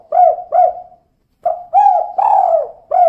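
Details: Female spotted dove calling in the 'kuk 2' pattern. Paired short curved coos are followed after a brief pause by a rising phrase that ends in a prolonged, resonant coo. The setting is quiet.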